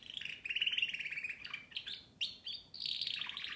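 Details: Canary singing a continuous, loud rolling trill, shifting into sharp upslurred notes and ending in a bright, high buzzy flourish.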